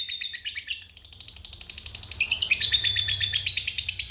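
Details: Lovebird giving ngekek panjang, a long trill used as a lure to provoke other lovebirds: a high, rapid stuttering chatter of evenly spaced notes that grows louder and harsher halfway through and runs without a break.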